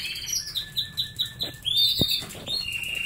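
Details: Canaries eating treats: one bird sings a run of short whistled notes, about five to six a second, then a long clear whistle and a dropping, steady tone, with one sharp tap.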